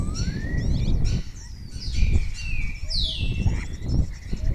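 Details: Spotless starling singing close to a webcam in Cabañeros National Park, Spain, answered by other starlings; its repertoire includes imitations of orioles, kites and other birds. A rising whistle, then slurred high notes over heavy low rumbling background noise.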